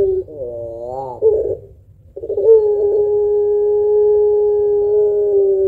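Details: Spotted dove, puter pelung type, cooing at length as a lure for other birds. A quavering rising phrase gives way to a brief silence, then a single very long even coo holding for over three seconds.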